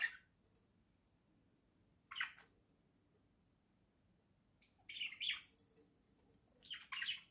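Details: Two pet budgerigars indoors, playing and preening together: short bursts of scratchy, squawky chirps separated by long quiet gaps, loudest near the end in quick paired bursts.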